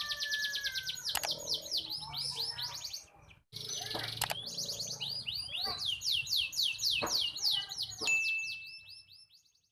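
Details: Canary pair being matched for mating after their young became independent; the bird sings a long, loud, high song of fast repeated trills and rolling phrases with sharp chirps, a brief pause midway, ending in a sustained whistled note.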